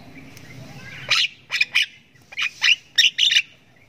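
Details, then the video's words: A learning Javan myna chick calls in the ngriwik style: after a faint low murmur, harsh rasping squawks come in irregular pairs and triplets, loud and grating. "ANAKAN JALAK KEBO SULTAN NGRIWIK PANJANG"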